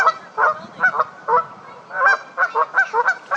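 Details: Canada geese getting into a fight, giving loud, strident honks spaced about every half second, some doubled and overlapping.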